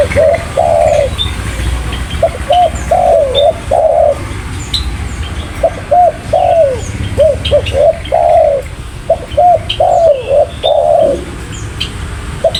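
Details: Spotted dove repeating bursts of quick hollow coos and drawn-out arched notes over twelve seconds, with frequent high chirps of other small birds and low steady background noise.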